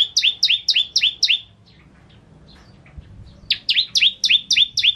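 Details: Bar-winged prinia singing vigorously, in a song recording made to tutor other birds: quick bursts of sharp, downslurred chirps, about five per burst, separated by a quiet gap of nearly two seconds.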